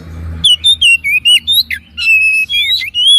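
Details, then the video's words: Kacer, the oriental magpie-robin, in gacor masteran song: a low hum, then loud, rapidly alternating whistles, some upslurred and some downslurred, with a few harsher rasping notes mixed in. "MASTERAN BURUNG KACER GACOR"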